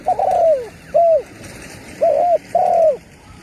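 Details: Spotted dove used to lure wild birds, newly in full calling form; a stuttered coo sliding down, a short hollow note, then a doubled coo and a long descending coo, with a light background hiss.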